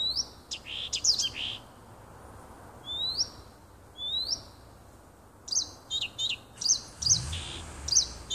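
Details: Woodland nightingale near a house, recorded 30 June 2015. Rapid clicks open the song, then three separate rising slurred whistles follow with pauses between them. A fast run of sharp notes closes the phrase.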